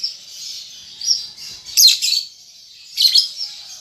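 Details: Young lovebird still learning ngetik and ngekek chatter keeps up a thin, high buzzing warble, broken by two louder clusters of harsh rapid chips.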